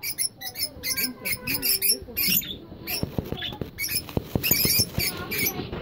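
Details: Lutino, albino and yellow-green Fischer's lovebirds in a breeding setup chatter in sharp, scratchy chirps. Quick bursts repeat irregularly, mixed with low clicking taps and faint squeaks throughout.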